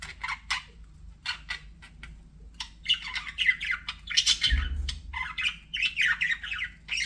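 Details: Pet budgies chatter in quick squawky pulses, starting with spaced chirps, then building into rapid, dense warbling runs of buzzy high notes, with a dull thud in the middle.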